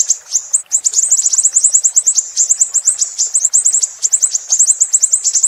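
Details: Siri-siri chattering song, recorded to train other songbirds: a continuous, shrill torrent of quick high notes with a short break near the start, then unbroken twittering.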